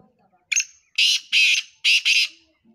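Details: Black francolin calling, with a series of harsh, grating, high-pitched notes: one short note, then two louder broad rasping bursts, a pause, and two more paired bursts.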